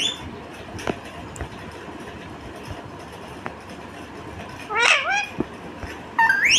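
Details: A rose-ringed parakeet (Indian ringneck) gives two short, harsh, wavering chirps near the end, rising and falling, over a steady hiss of traffic-like background noise.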